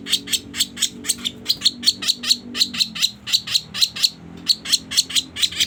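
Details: Sooty-headed bulbul lure sound for bird trapping: a continuous series of rasping, buzzy chips, roughly three per second, each note sharp and broadband, over a faint low background hum.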